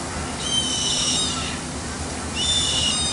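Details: A yellow-headed caracara (Milvago chimachima) at Piscilago, Colombia, gives two harsh, hissing screeches, each about a second long and separated by a short pause, over a steady background hum.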